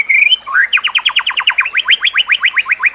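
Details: White-rumped shama song used as a training recording for other shamas: a brief high whistle, then a fast run of rising upswept notes repeated about two to three times per second, rhythmic and bright.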